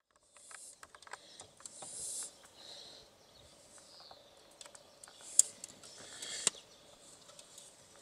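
An African stonechat gives sharp, dry clicking 'tak' notes at an uneven pace, with soft high hissy sounds between them and a quiet background.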